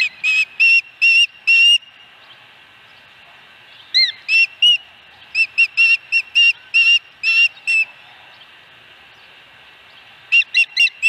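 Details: Osprey at its nest around a fish delivery at night: bursts of short clipped whistled chirps, quick groups of four to eight separated by quiet gaps, one rising note near four seconds.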